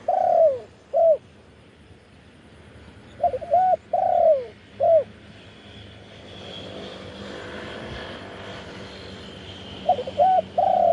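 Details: Spotted dove giving throwing-style coos to lure wild doves, recorded live: groups of short and drawn low coos, a gap with a passing vehicle rumbling, then the phrase starting again.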